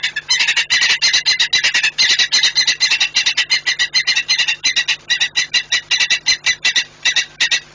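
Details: Saker falcon shouting as it arrives at the nest and departs again in Płock, Poland, on 25 January 2018 at 08:52 in the morning. Harsh, rapid chattering notes, about three per second, run almost without pause over a faint steady low hum.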